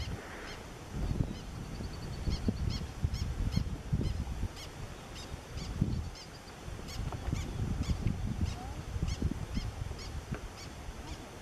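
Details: Black terns at Point Pelee recorded from a kayak at close range; brisk high clipped notes come in irregular runs, with loud wind buffeting and water splashes below.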